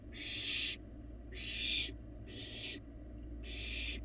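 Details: In a Florida nest box, a barn owl fledgling gets food while a live camera rolls; four loud, breathy screeching hisses, each under a second, come in quick succession.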